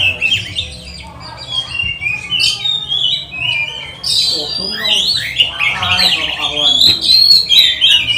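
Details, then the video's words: Provocation song of an Oriental magpie-robin for training other magpie-robins during lockdown; varied whistles and harsh chatters, softer at first, then a loud, dense burst of rapid high warbling. "Pancingan kacer gacor nembak untuk melatih kacer di saat lockdown, bongkar isian kacer cepat emosi"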